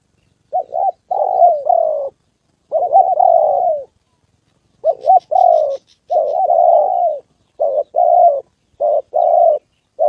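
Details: Spotted dove decoy used for trapping in Gia Lai, Vietnam, encountering wild birds on the 2 September holiday, calls continuously. Loud hoarse paired coos and longer wavering notes come in close succession, with a faint high buzz once.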